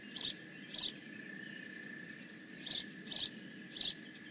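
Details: Bald eagle at the Decorah North nest, 15 May 2017, giving two sharp high chirps, a quiet stretch, then three more in quick succession over a thin steady whine.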